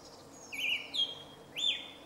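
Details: Song thrush recorded 2 March 2016 in a grove near Jarun, Zagreb, Croatia, singing three separate clear whistled notes, the last one rising and slurred, over faint low background noise.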